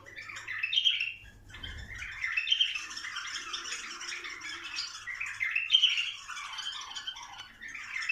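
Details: Song of bulbuls meant to stir them toward mating: overlapping chattering phrases and bright whistled notes, louder swells recurring about every two to three seconds, with a brief soft low thump near the second mark.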